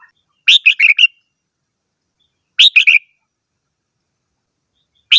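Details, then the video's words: Red-whiskered bulbul singing lively four-note whistled phrases about every two seconds, notes bright and slightly descending, clean quiet background. "chim chào mào hót - tiếng chim chào mào hót"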